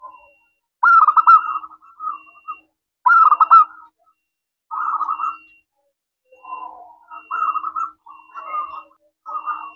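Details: Local zebra dove in a clear 'crystal' voice, used to lure other doves into answering: loud rolling coo phrases alternating with quieter cooing, about one phrase every two seconds.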